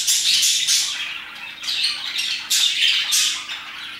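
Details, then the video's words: Parakeets chirping around 2pm: bursts of shrill, raspy squawks and chirps come in quick succession, some notes rising and falling, with the flock's chatter barely easing between bursts. "Parakeets chirping and singing their hearts out"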